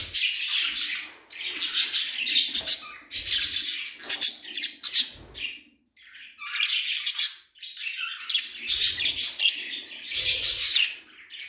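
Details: A bonded pair of budgerigars discovering their nest box chatter in bursts of harsh, scratchy chirps and warbles, pausing briefly between outbursts.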